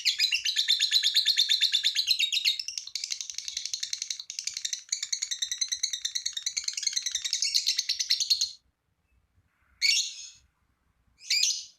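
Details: Lovebird delivering a long ngekek trill to stir other lovebirds into singing: about eight and a half seconds of fast, buzzy, pulsing chatter, then silence and two short harsh calls.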